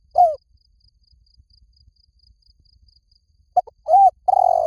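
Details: Spotted dove lure call to draw doves close: one falling coo at the start, a three-second pause, then quick clipped notes, an arched coo and a long buzzy croo running to the end.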